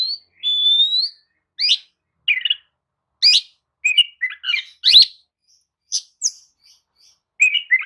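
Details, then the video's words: Oriental magpie-robin (kacer) lure song for reviving a listless bird: opens with a long, level, pure whistle, then separate short scratchy notes and brief whistles, spaced by pauses. "kicau pancingan kacer atasi kacer loyo! jelas nyaut dan gacor"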